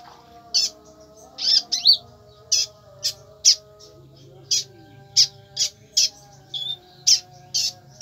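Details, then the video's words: Brown-throated sunbird (konin) singing in the tembakan style: sharp, high chirps in short bursts, repeated about every half second, over faint steady background tones. "tembakan konin sadis"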